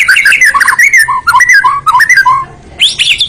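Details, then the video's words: A white-rumped shama (murai batu) delivers a full isian song of rich, varied whistled notes. Quick slurred phrases bounce up and down, then a short gap gives way to a high, sharp, buzzy burst. "kicau murai batu.. fuul isiaaan"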